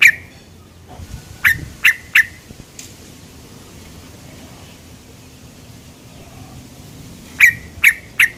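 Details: Lure call of a sooty-headed bulbul, known locally as 'cuk cuk': three clipped chirps in quick succession, a long quiet pause, then three more bright notes at the end.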